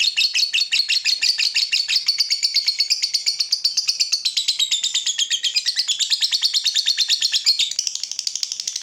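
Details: Long ngekek song of a fighter lovebird, recorded to tutor other lovebirds; a sustained, rapid rattling chatter of shrill high notes lasting about nine seconds, slightly shifting in pitch midway, with no other clear sounds.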